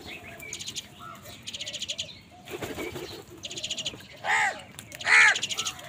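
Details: Wild crow angrily fighting birds for food: two loud, rasping caws near the end, after rapid buzzy trills and chattering from other small birds.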